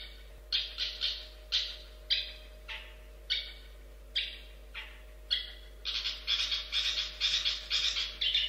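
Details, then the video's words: Long-tailed shrike giving short harsh, rasping notes spaced about half a second to a second apart, then a faster run of repeated grating notes in the final seconds. "Kicau Burung Cendet Pentet Spesial Chirping Jos Gacor"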